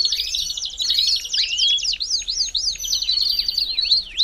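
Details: Belgian canary song for warming up a canary: bright trilled phrases broken by crisp crossing up-and-down slurs, lively and fast throughout.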